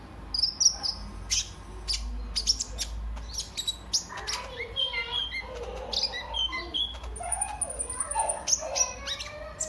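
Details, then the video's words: Sunbird lure recording (kolibri ninja) for stimulating and tutoring other birds: busy mix of high thin chirps, clicks and brief whistles, with scattered lower twittering and faint background hum. "pancingan dan masteran KOLIBRI NINJA GACOR"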